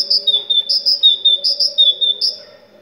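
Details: Great tit from Morocco singing to stimulate other tits: a continuous series of crisp, high two-syllable phrases repeated about three times a second, fading at the end, over a steady low drone.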